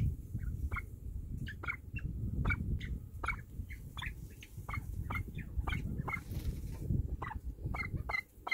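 Golden pheasants give short, sharp clucking notes in quick irregular bursts over a low rumble.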